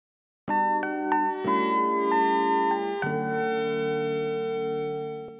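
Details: A few glockenspiel-like chime notes struck in a short melody, then left ringing out.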